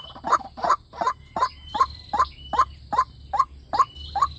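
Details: White-breasted waterhen lure call for playback to attract wild birds: a steady series of short, hoarse, clipped notes, about two to three each second, evenly spaced.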